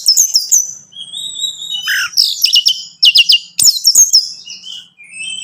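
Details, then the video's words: Orange-headed thrush song, played to stimulate a captive bird into singing: high, varied phrases of sharp slurred whistles and clipped chirps, some dropping in pitch, in short bursts separated by brief pauses, with faint low background hum. "Merangsang ANIS MERAH Berani Bunyi, Saat Diputarkan Kicauan Ini dalam Beberapa Menit."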